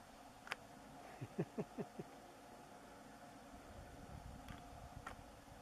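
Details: Houbara bustard (Chlamydotis undulata) in March 2014 at Ezuz-Nizzana, Israel: a quick run of five deep, short, downward-sliding notes in under a second, over a steady low hum with a few sharp clicks.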